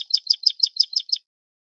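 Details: A short burst of seven quick, scratchy high chirps from a Plain prinia (Prinia inornata flavirostris, endemic to Taiwan), delivered in just over a second and then stopping abruptly into silence.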